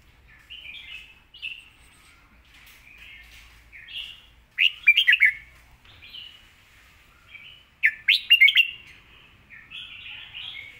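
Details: Clear, fast-delivered song of a red-whiskered bulbul admired for good phrasing: short whistled warbles, two louder emphatic bursts of rapid notes near the middle and end, and quiet between phrases.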